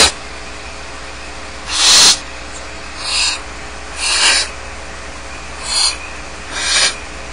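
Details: Young barn owl chicks left alone in the nest at Starr Ranch give harsh, hissing snores, five rasping bursts spaced about one to two seconds apart.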